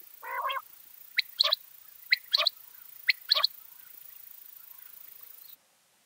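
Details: Wild backyard bird recorded in Washington State gives a brief buzzy note, followed by three pairs of thin, sharp, high chips about a second apart, with a faint steady hiss behind.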